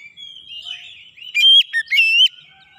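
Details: Oriental magpie-robin song used as a lure and training recording for other kacer birds: soft, rambling warble, then loud clear whistled notes with a rising-and-falling sweep near the end.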